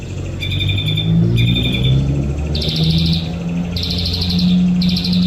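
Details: A white-rumped shama sunbathing delivers a series of high, rapid trilled phrases, each about half a second long, repeated roughly every second. A loud low droning, possibly traffic, runs underneath throughout.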